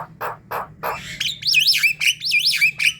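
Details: Javan myna calls meant to pull in others of its kind: several coarse rasping notes, then a loud wavering, looping whistled phrase repeated twice.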